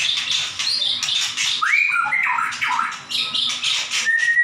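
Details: Energetic 'gacor nembak' song of a white-rumped shama, a master track for tutoring captive birds: rapid whistles, sharp upward slurs and buzzy high bursts, delivered nonstop and loud against a quiet background.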